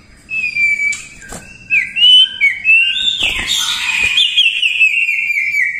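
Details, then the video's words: Common iora singing long, drawn-out clear whistles that slur gently up and down, with a brighter rising phrase midway; a few soft clicks behind. "cipoh gacor"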